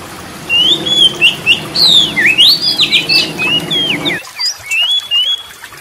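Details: Oriental magpie-robin in full song, played to stir other birds into singing: rapid whistled phrases sweeping up and down, a burst of loud twisting notes, then softer scattered whistles after the background hum stops.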